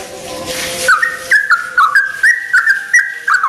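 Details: A brief low, muffled noise gives way to a sooty-headed bulbul's dawn song of sweet whistled notes, repeated in quick, slightly uneven phrases.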